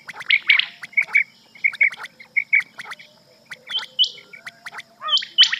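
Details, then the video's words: Rain quail calls in quick paired notes, a sharp double 'which-which' about every half second, with higher squeaky notes and clicking ticks around it; presented as a night cassette used for quail hunting. "Batair cassette /rain quail sound"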